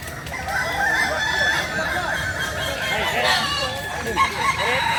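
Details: Kukuak Balenggek roosters from Solok, West Sumatra, crowing all at once: many short arched notes and longer drawn-out crows overlap, with a brighter burst of calls near the middle.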